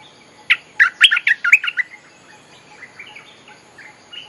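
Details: Streak-eared Bulbul song used to draw in wild birds: a quick, bubbling phrase of about eight sharp chirps, followed by soft, wavering whistles trailing off over a quiet background.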